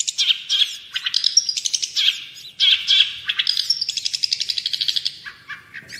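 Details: Long-tailed shrike tutor song: varied mimicking phrases of chirps, squeaks and quick trills, ending in a fast even run of notes before a lower trailing call.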